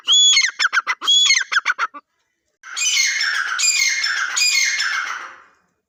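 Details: Two harsh, ringing partridge phrases with arched whistles and clipped chatter, then silence, followed by a prolonged noisy, rasping outburst lasting about three seconds.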